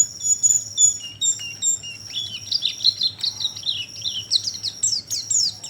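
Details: Oriental white-eye sound used as a lure to attract birds: high, thin chirps at first, then a dense run of rapid twittering notes in varied sweeps, with a steady high whistle-like tone throughout.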